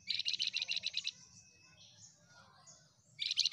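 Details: Flamboyan bird singing energetically, a fast, pulsing trill of around ten high chirped notes, then soft faint twitters, then another trill starting.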